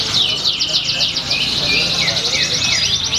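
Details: Competition canary song recorded at a Pringsewu contest, 22 September 2019. Rapid, rolling high trills are repeated in quick bursts, with short descending slurs mixed in. A chorus of other canaries fills the background, with faint human voices.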